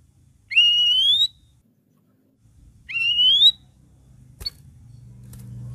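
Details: Sooty-headed bulbul song, played to get quiet cage birds singing. Two long whistles slide steadily upward, about two seconds apart, then a short high chip follows.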